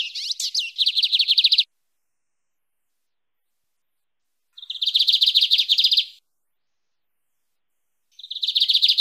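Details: Lined seedeater singing the canto mateiro style: rapid, high, buzzy trills in bursts of about one and a half seconds, separated by pauses of several seconds, with a few sharp chirps at the start.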